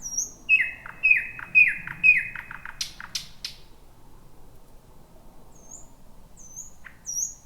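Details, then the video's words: Wild thrush nightingale singing near midnight in a bushy, jungle-like spot; four loud repeated piping notes, a few dry clicks, then quiet gaps broken by high thin whistles. "Whippavoo the Thrush Nightingale 2026"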